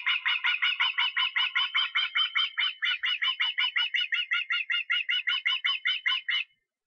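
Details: Osprey in Estonia on 23 August gives a long, steady series of shrill, whistled cheeps, about four per second for over six seconds. No other sounds are heard.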